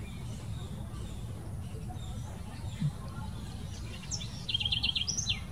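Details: House wren recorded 26 November 2019 in São Paulo's Botanical Garden, Brazil: after a quiet stretch of distant traffic hum, a short burst of rapid, high, rattling notes ends with a few sharp whistled slurs.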